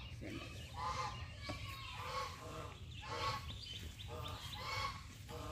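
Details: A domestic goose in a Bangladeshi village, shown as one to beware of, gives loud, nasal, harmonic honks in bursts about every second, harsh and insistent, over a low background rumble.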